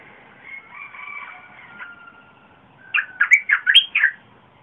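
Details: Red-whiskered bulbul song, a recording meant to lure wild birds and teach young birds: a soft drawn whistle, then a loud burst of six quick warbled, rising and falling notes near the end.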